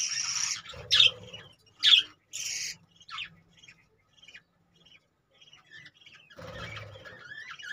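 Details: Caged budgerigars giving short, bright chirps and squeaky notes in irregular bursts, a few louder calls close together near the start, then softer scattered twitters, with a faint low hum underneath.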